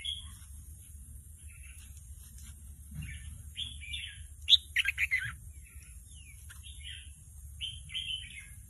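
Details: Young red-whiskered bulbul learning to sing, its song not yet formed: short scattered chirpy and warbled phrases, loudest in the middle, over steady low hum and a high constant hiss.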